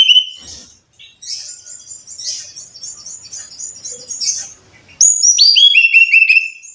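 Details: Brown-chested jungle flycatcher song used as a master recording to coax caged birds into singing often: a high whistled note, then rapid tinkling trills, ending in bright descending whistled phrases stepping down in pitch.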